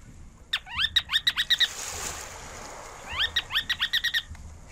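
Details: Ruddy turnstone giving two loud rattling series, each opening with rising slurred notes and breaking into a fast, even chatter of clipped, bright notes, separated by a short pause with soft background hiss.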